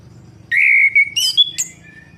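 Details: Orange-headed thrush singing to prompt a silent bird: a long, steady, high whistle followed by quick, rising, twittering notes and a sharp upward flick, over a low background hum.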